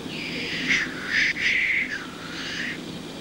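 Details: Lekking black grouse cock, loud hoarse hissing sneezes, several rasping whooshes in quick succession, fading at the end.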